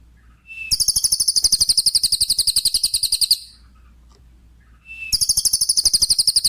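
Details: Lesser green leafbird, its song played to train songbirds after moulting: a short whistle opens long, fast, high shimmering trills of even pulses lasting about three seconds, repeated after a short gap.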